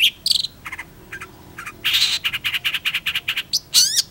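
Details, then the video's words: Varied Long-tailed Shrike song: scattered harsh chips, then a steady run of about a dozen buzzy notes at even pace, ending in a steep descending sweep. "PENTET GACOR"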